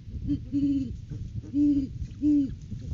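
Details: Courting Great Horned Owl pair visiting their nest tree, January 9, 2023, seen on live camera; close, deep, resonant hoots, four in about three seconds, the last two loudest.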